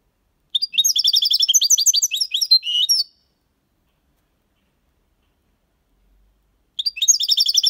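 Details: European goldfinch singing clean Copia Málaga style for young birds: a long, rapid, jingling phrase of high notes ending in a few drawn-out twitters, then a fresh phrase beginning after a pause.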